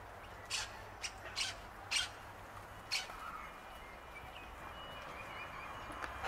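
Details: Sulphur-crested cockatoos at Bundanoon station, Australia, in June 2021. Short, abrupt, scratchy squawks burst out about five times in the first three seconds, then fade to faint background hiss.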